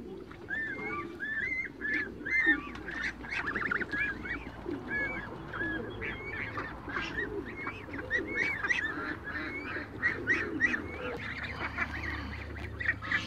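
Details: Several young Toulouse geese run about a backyard, keeping up a steady stream of thin, upslurred and arched peeps. The calls overlap irregularly, with scuffling and clicking sounds scattered among them.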